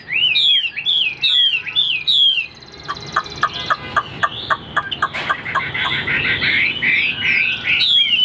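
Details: Tame caged Chinese Hwamei, about 95% tamed, keeping its tail fanned: loud whistled song of repeated rising-falling slurred notes, then a run of short clipped notes and fast varied phrases, with faint background hum.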